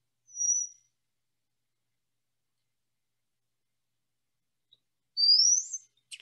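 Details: Brown-headed Cowbird song, a brood parasite of Kirtland's warbler nests: a thin, very high whistle, then after a pause a squeaky, rising squeal like an unoiled wheel, ending in a brief click.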